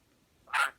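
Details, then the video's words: Parrot making a fart noise while playing peek-a-boo: one brief, harsh, spluttering blast lasting a quarter second with a thin whistled tone running through it, otherwise a quiet background. "Parrot playing peek a book and making fart noises"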